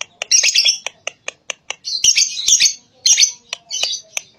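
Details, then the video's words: Lovebird calls used as a lure to make young lovebirds answer: rapid high, squeaky chattering with sharp clicking chips and short buzzy bursts, delivered in quick uneven runs. "Pancingan burung lovebird muda/balibu..di jamin langsung nyaut.."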